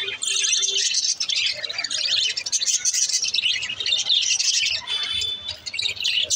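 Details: Green lovebirds kept as pets chattering continuously: dense, high, buzzy twittering and squeaky chirps overlapping without pause, with short gaps and a brief low tone early on.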